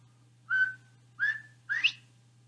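Northern Bobwhite gives three clear whistled notes about half a second apart, the last sharply rising, the familiar 'bob-WHITE'. A low steady hum runs underneath.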